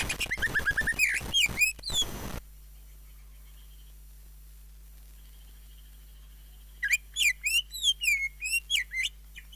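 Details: Greater green leafbird song with isian and jamtrok: a dense, loud burst of chattering notes, a long quiet gap, then a string of clear looping whistles, with a low hum behind.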